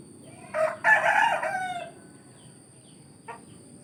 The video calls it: the sound of a rooster crowing in the village